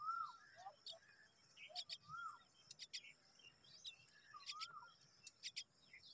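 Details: Hungry myna nestlings begging while they await their mother: bursts of piercing, raspy chips, often doubled, mixed with short rising-and-falling whistles lower down.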